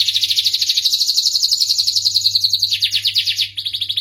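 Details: Starblue canary delivering a dense, high rattling trill that slowly rises in pitch, then breaks into quicker descending notes and a fresh trill at the end; a faint low hum persists throughout.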